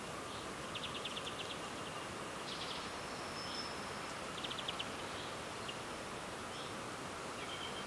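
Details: A Common Blackbird on Sotra island west of Bergen, Norway, in early spring, foraging on the ground, gives its barely audible quiet song: soft, scratchy, high twitters and short rapid trills in brief bursts every second or two, under steady outdoor hiss.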